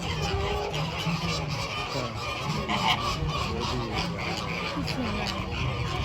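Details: Flamingos, some standing on one leg, giving a continuous chorus of nasal goose-like honks from many birds at once, with human voices and background hum.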